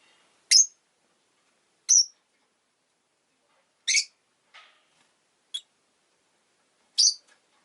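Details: Rosy-faced lovebird calling with loud, shrill single chirps spaced one to two seconds apart, each sharp and high, over a quiet background.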